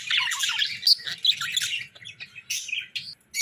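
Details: Pet budgerigars in their morning routine give busy, high chirps and scratchy squawks in rapid overlapping bursts, with brief pauses toward the end and faint low thumps underneath.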